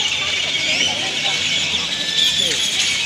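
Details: Great-tailed grackles, a large flock gathering noisily to roost in Indian laurel trees in Granada, Nicaragua; a dense, continuous wall of shrill squeaks, whistles and chatter from many birds at once.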